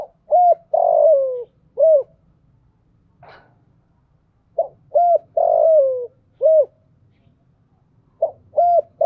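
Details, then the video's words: Decoy spotted dove cooing to lure wild doves: low cooing phrases, each a short coo, a long drawn coo sliding down at the end, then a short coo. Phrases repeat about every four seconds in a quiet room. "chim cu mồi gáy gọi, tiếng chim cu gáy kích bổi mới"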